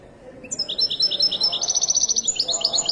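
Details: Moroccan European goldfinch singing in the widani style: after a quiet half second, a fast bright twittering run of high, repeated tinkling notes, rising slightly in pitch and carrying on steadily to the end.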